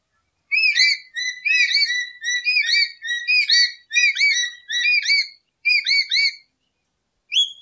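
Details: Lory whistling for a lure and tutor track: a long series of short, curling whistled notes in clustered pairs and trios, bright and piercing, ending after a pause with a single rising note.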